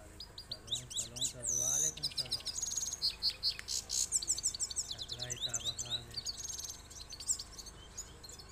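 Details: Two trained goldfinches sing against each other in two-steps style: a dense, continuous high twitter of tinkling chirps, squeaky whistles and brief rattled trills. A man talks quietly underneath at moments.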